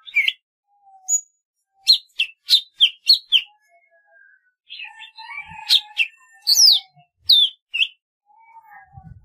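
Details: Golden-fronted leafbird in a lively varied passage: rapid chips in a run, a faint low whistle, then a tangle of twittering and slurred notes, with some low rustling near the end.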